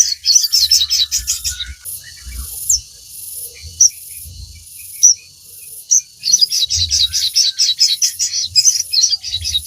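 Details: Crimson sunbird song used to stimulate caged birds: fast high-pitched twittering runs at the start and end, with isolated sharp chips between and soft low thuds.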